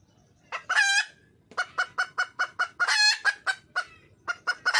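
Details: Wild red junglefowl hen calling for a male. She gives two long, harsh, drawn-out squawks, each followed by a quick run of short, clipped cackling notes repeated several times a second, against a quiet background.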